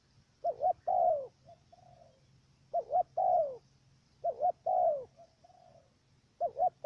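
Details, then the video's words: Trap decoy dove from Cà Mau, Vietnam, cooing with a stammered first note: two short wavering notes then a long falling coo, four phrases about 1.8 seconds apart, with soft answering coos in the gaps. "Bổi thổ gù cà lăm tiếng đầu"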